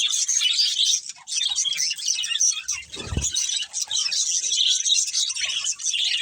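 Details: Budgerigars chirp in a steady high-pitched chatter, broken near three seconds by a brief low thump.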